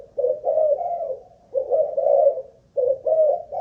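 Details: Spotted dove from Malaysian stock, kept captive as a decoy, tested for how long it coos: three husky, low phrases, each a short note followed by a drawn-out slurred one, separated by clear pauses.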